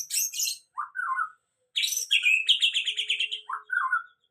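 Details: White-rumped shama singing after its moult, starting to sing fully: loud varied phrases of high sweet whistles and rapid chattering trills, with lower slurred notes in between and short pauses; no other sounds.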